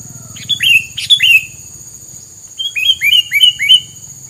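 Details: Filler song said to keep rival birds from coming near: two bursts of sharp downward-sliding whistles, three notes in the first and about four in the second, over a faint low hum.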